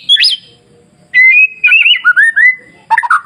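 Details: Masteran song of a white-rumped shama to trigger other shamas' singing: a brief high upslurred note, pause, then a sustained whistle breaking into a series of looping whistled notes and a harsh burst.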